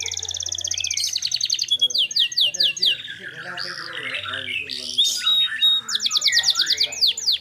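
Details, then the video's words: Canary song with a clear voice, meant as a training recording: fast trills, slurred whistled sweeps and a warbled middle passage, ending in another rapid rattling trill. "LANGSUT NYAUT GACOR Dengar Masteran Kenari Gacor Suara Jernih Ini"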